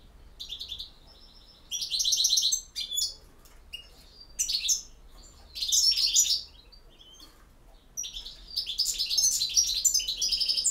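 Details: Goldfinch song in the campero style from Bosnia and Herzegovina: a long sequence of high, liquid twitters, buzzy trills and sharp chirps in bursts of one to two seconds, the final stretch an unbroken rapid jingling run.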